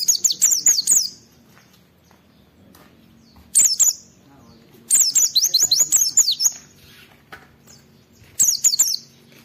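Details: Oriental white-eye (pleci) in energetic song used to prompt other white-eyes to sing along: repeated bursts of quick, high, sharply falling whistles, with silent pauses between phrases.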